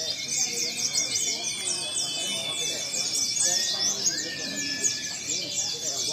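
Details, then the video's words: Several white-eyes sing together at a mixed white-eye song contest in a dense, high chorus of rapid, thin twittering and slurred down-sweeping notes, with faint voices and background noise. "lomba pleci campuran"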